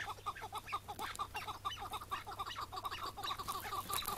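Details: Iraqi chukar partridge on a May 2017 morning during a trapping hunt, bird later released; rapid series of short clucking chuk notes at a fast steady pulse, about two per second or quicker, with faint rustling behind.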